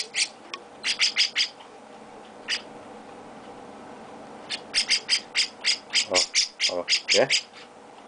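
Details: Chestnut-cheeked starling chick with its owner: a few scattered grating squawks, a quiet gap, then an accelerating series of harsh, rhythmic calls, with brief human voice sounds near the end.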